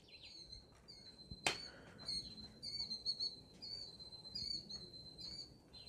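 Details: Killdeer (Charadrius vociferus) in Wisconsin over Memorial Day weekend, amid rain and tornado warnings, give thin, high, piercing whistled calls in short runs, with one sharp loud note near the start, over low background rumble.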